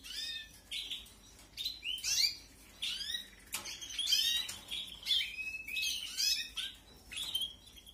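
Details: Canary nestlings fed in an aviary during the 2021 breeding season: a steady series of sharp, high cheeping bursts, roughly ten over eight seconds, each a quick cluster of downward-sweeping squeaks separated by short silences.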